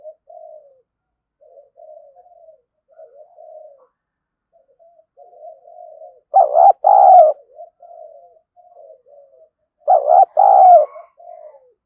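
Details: Decoy spotted dove for luring wild doves, with a run of soft, low murmured coos broken twice by loud husky two-part coos about four seconds apart.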